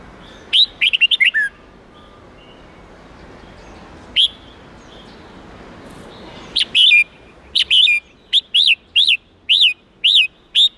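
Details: Red-whiskered bulbul song in the 8-9-10 note wild style used as a lesson for young birds. An opening rapid warble and scattered notes are followed by a steady run of sharp, repeated whistled notes about every half second.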